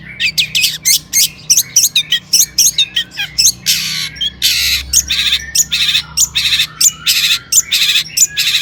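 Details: Long-tailed shrike in full song, played to stir other shrikes to sing: a rapid run of short squeaky chirps gives way to a long series of harsh, scratchy bursts, roughly one and a half per second.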